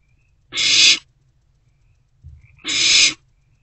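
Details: Night recording from a barn owl nest box, 16 March 2024, as an owlet swallows a freshly delivered rodent; two long breathy hissing screeches roughly two seconds apart, with soft shuffling between them.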